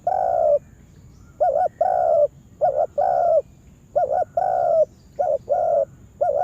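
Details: Lure spotted dove being taught in a yard for bird trapping. It gives a steady series of low coo phrases, each a short two-note stutter leading into a sustained, mellow coo.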